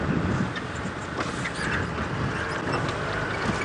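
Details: Early-morning safari drive at 5:00 AM on 17 November 2016, with steady wind buffeting the microphone and vehicle rumble throughout; no animal call stands out.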